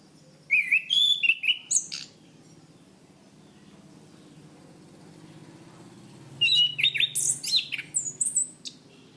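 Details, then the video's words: Orange-banded thrush (Zoothera interpres), a Southeast Asian forest thrush kept as a cage songbird, in a training recording. Two bursts of varied whistled phrases: clear mid-pitched notes rising into high, sharp chirps, with a quiet pause between bursts. "Masteran Anis Kembang | Punglor Gacor Ngeplong Mantap"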